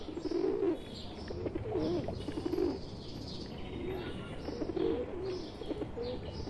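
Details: Indian pigeons, a pet bird mixed into a wild flock, coo in repeated low rolling phrases about every second, while small birds chirp faintly above and a soft outdoor hiss continues.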